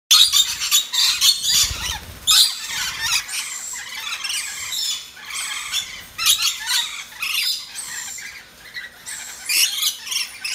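Red-collared lorikeets give harsh, high screeching squawks in rapid overlapping bursts, with brief low thumps in between.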